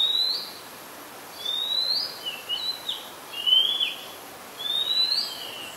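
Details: Oriental magpie-robin singing at Ubon Ratchathani, Thailand, 2 July 2022, recorded with a Nikon P1000: a string of high sweet whistles, some rising, some dipping, with short twangy notes between them.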